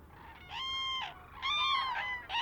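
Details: Common cranes migrating through Villafáfila lagoon, Spain, toward Extremadura and Andalusia, give loud trumpeting bugles on sighting the lagoon to stay together, two or three drawn-out harmonic calls overlapping in quick succession over faint background noise.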